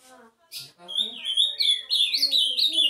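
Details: Lively Ultramarine grosbeak warble of quick whistled notes sliding up and down, preceded by low soft background tones and a short burst of noise.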